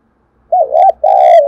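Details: Close spotted dove morning coo, two notes heard: a wavering, bending coo, a short gap, then a long, steady, slightly descending coo, with a faint low hum underneath.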